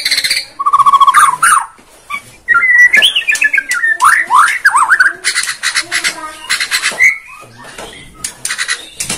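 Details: Borneo shama song played to provoke birds: a buzzy trill, then swooping whistles rising and falling, followed by fast harsh rattling bursts repeated several times a second.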